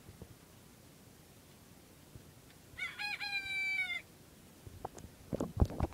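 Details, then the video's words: Bantam rooster kept as a pet giving one crow after a quiet stretch: a rough, strained note about a second long, then scattered thumps and handling sounds. "Bantam Rooster Amillio Crowing"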